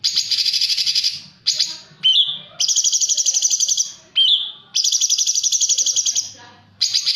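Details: Straw-headed bulbul singing in the harsh 'tembakan kasar' style. Loud, rough, buzzy rattling bursts of about a second each, several in a row, with short rising whistled notes between some bursts.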